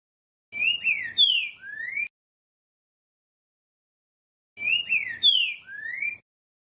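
A green-winged saltator gives a rich whistled phrase of four slurred notes, falling then rising, repeated twice with a pause of about two and a half seconds.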